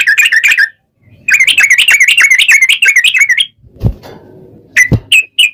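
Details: Sooty-headed bulbul (trucukan) singing vigorously in a long rapid chattering run, used as a lure so other trucukan sing back; bursts of quick bubbly notes, a pause, then a long fast chatter, two dull thumps and a few short closing notes.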